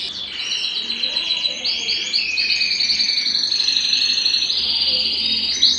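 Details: Belgian canary in full song, meant to warm up singers and bring hens into breeding condition; dense, varied high trills and buzzy rolls flowing continuously with changing pitch.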